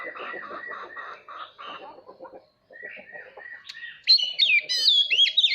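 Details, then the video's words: Oriental magpie-robin singing to train young birds and provoke rival singing: lower, rapid chattering notes repeated in bursts at first, then a short gap, then bright high whistled warbles and slurred phrases. "Chòe than hót /kích chim hót đấu /luyện giọng chim non"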